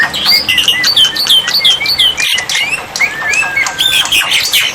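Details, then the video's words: Black-winged myna used as a water-therapy tutor to make silent birds reply: continuous harsh squawking and grating notes with hooked whistles, then a thin long whistle. "terapi air dan masteran burung jalak putih, jalak putih macet pasti nyaut"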